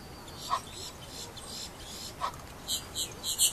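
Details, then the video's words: Egyptian goose giving a few scattered, nasal calls at first, then a quicker run of harsh, squeaky notes close together in the last second, with a quiet background. "Egyptian Goose"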